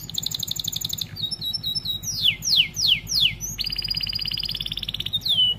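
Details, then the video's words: Starblue-coloured AF canary singing a varied song used as a tutor for young canaries: high buzzy trill, falling chirps, four loud downward-swept whistles, then a long rapid rattling trill ending in a slurred note. "Kenari AF warna starblue gacor lagu unik mewah untuk masteran kenari paud"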